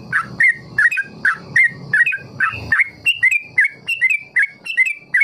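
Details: Sooty-headed bulbul in long ropel for teaching young birds: rolling, bubbly notes in rapid succession, becoming higher and more even toward the end.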